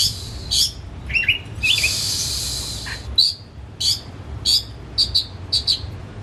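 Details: Caged white-rumped shama kept at home as a hobby, fed crickets and pellets, its song used as a lure to make a silent shama sing: short high chirps and buzzy bursts, then clipped whistled notes repeated about every half second.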